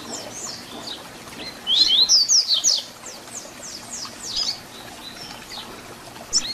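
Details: Double-collared seedeater song, the "Tui Tui Zel Zel" style used for teaching young birds: a loud run of about six sharp, high, slurred whistled notes mid-clip, with fainter similar notes before and after over steady background hiss.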